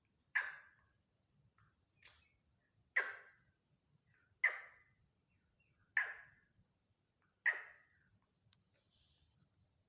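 Black francolin giving six loud, harsh, grating notes, one every one to two seconds, over a faint low background rumble.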